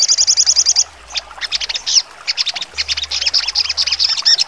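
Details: A sogon delivers sharp 'trotol' song for training contest birds. It opens with a quick high trill of about ten notes, then switches to loud, scattered chirps and clipped whistles that grow denser toward the end.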